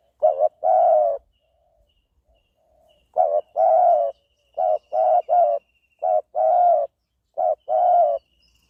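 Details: Spotted dove cooing: repeated phrases of a short low note followed by a longer rolling coo, each phrase roughly a second and a half apart, with a faint steady high whine in the background.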